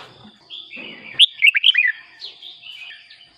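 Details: A red-whiskered bulbul delivers a single rapid, sweet, tumbling phrase of four or five looping notes, followed by softer drawn-out whistles. The recording is meant for decoy use or to make caged birds lively.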